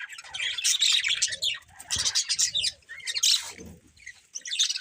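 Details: Budgerigars chattering in lively waves of high, rasping chirps and twittering warbles, with brief quieter gaps and soft fluttering sounds underneath.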